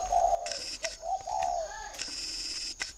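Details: Spotted dove in Ba Vì, Hanoi, Vietnam, just before being called down to roost, delivering a quick series of three soft coos, then bursts of rustling and clattering noise.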